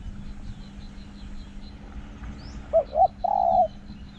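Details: Decoy spotted dove with a small-voiced, forest-filling 'hong' coo. After quiet background hum, two short clipped notes are followed by a longer sustained low coo near the end.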